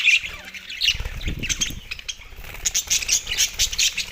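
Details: Budgies at soft food on 4 December 2023, giving scratchy squawks and chirps mixed with wing flutters and busy rustling, the calls coming in uneven clusters.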